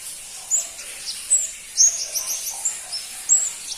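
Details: Crimson-breasted flowerpecker, a bird rarely kept by songbird hobbyists and hard to find, giving thin, very high, sharp chirps spaced about every half second to a second, with a soft hiss behind.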